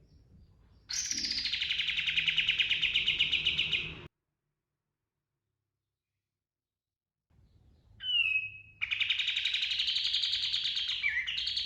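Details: Pied triller (kapas tembak) giving rolling 'ngerol' and shooting 'nembak' song for training cage birds: a long dense buzzing trill, a pause, a brief sharp falling whistle, then another sustained rapid rattling trill.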